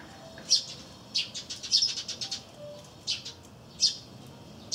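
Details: Active chirping of sparrows close to a wreath feeder where a great tit feeds on peanuts, April 2013: loud single chirps separated by a brief burst of quicker, softer chirps in between.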